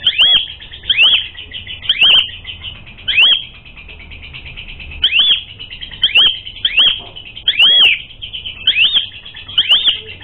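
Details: Lure song of an Asian pied starling, meant to provoke fighting: bright whistled notes that arc up then drop steeply, repeated roughly once a second over ten seconds, with a brief gap near the middle.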